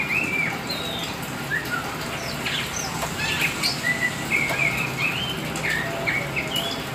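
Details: Hobby-kept kacer hitam, the black Oriental magpie-robin, pouring out varied song: rising and falling whistles, sharp clipped notes and brief twittering phrases spaced closely throughout, with steady low background noise.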